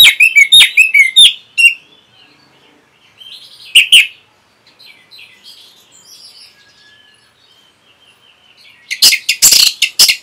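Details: Orange-headed thrush tutor song used to train caged birds: a loud burst of sharp, varied chirps and whistled notes, quieter warbling through the middle, then another dense run of harsh notes at the end.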